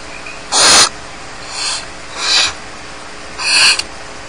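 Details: Barn owl young begging unattended in their Starr Ranch nest: one loud breathy hiss, two fainter softer ones, then another strong rasping burst, with a thin chirp at the start.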